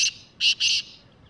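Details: Loud black francolin call of three harsh, buzzy notes: a brief first note, then two longer grating notes close together, followed by near silence.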